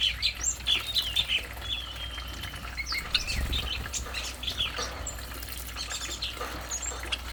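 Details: Song of a stripe-throated bulbul: quick bright chirps and whistled phrases, busiest in the first half, with a soft watery background and a steady low hum throughout.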